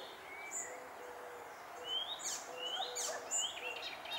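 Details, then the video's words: Icterine warbler singing in June 2021: a varied run of clear whistled notes, rising upslurs and sharp high chirps in quick succession, some notes sliding, with a faint steady low hum beneath. "koncert zaganiacza"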